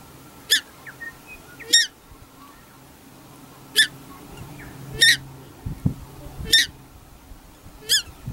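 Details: Paradise shelduck, one of a pair keeping pukeko away from a corn bait station at Tawharanui Regional Park, New Zealand, gives shrill, nasal honking calls, about six at uneven intervals over eight seconds, with a soft low thump.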